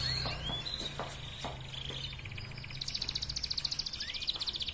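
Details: Red canary ngerek song meant to boost breeding urge in hens: scattered chirps at first, then a fast pulsing high trill rolling for about two seconds, with steady low hum and background noise throughout.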